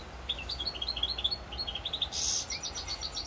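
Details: European goldfinch from Corsica, recorded 7 November 2022, delivers a rapid run of bright, evenly spaced tinkling notes, then a brief buzzy rasp and more fast twittering, all above a low steady hum.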